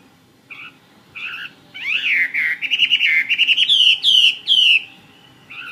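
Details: Fighting-type Chinese hwamei (họa mi chiến), a bird for sale, starting with a few soft doubled notes, then building into a loud run of quick whistled slurs that climb in pitch, over a low steady background hum.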